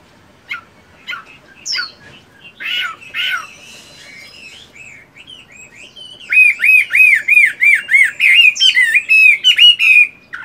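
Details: Chinese hwamei, a fighting bird kept caged, doing morning voice practice while moulting: scattered sharp notes and buzzy calls, then a rapid run of about a dozen identical arched whistles repeated several times a second.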